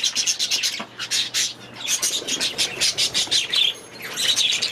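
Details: Several budgerigars in an aviary produce a steady stream of short, sharp chirps and scratchy warbled notes, pulsing in rapid bursts roughly several times per second, with brief quieter dips between flurries.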